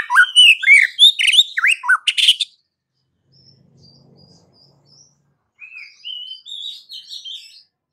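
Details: White-rumped shama pouring out a rapid burst of rich slurred whistles and harsh notes, then a pause with faint low hum, followed by softer rising whistles.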